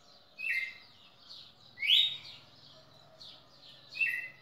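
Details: Red-cowled cardinal singing in Pernambuco on 10 December 2017: a series of sweet, slurred whistled notes, some level and some rising, spaced over a few seconds with a faint low hum behind.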